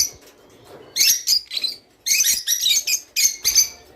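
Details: Java sparrow song to stimulate mating: a quiet start, then bright clicking bursts with high, bell-like notes in four or five short phrases.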